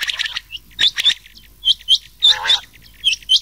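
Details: Summer night hunting lure of rain quail calls mixed with old quail voice; bright, high double chirps with a hooked shape come in clusters roughly every half second, with a brief lower, rougher note in the middle.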